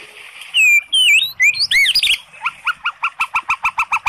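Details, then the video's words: White-rumped shama song used to rouse a sluggish bird: loud swooping whistles and arched notes, then a steady series of about a dozen short, identical double notes. "SUARA MURAI BATU bikin EMOSI JADI Naik BIRAHI NYAUT"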